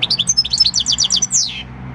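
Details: European goldfinch, six years old and of wild field stock, singing its field song on 26 December 2019: a rapid, evenly paced string of bright tinkling notes ending in a falling trill.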